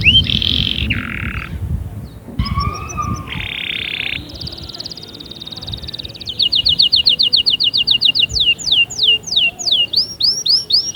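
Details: A canary sings in a track for motivating canaries: rough buzzy and nasal sounds at first, then a clear rapid trill and long rolling series of falling whistles.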